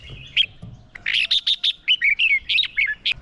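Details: Decoy red-whiskered bulbul in fighting song meant to lure wild birds, a fast run of rich whistled and chirped notes, some falling slurs, delivered almost without pause after an opening pair of chips.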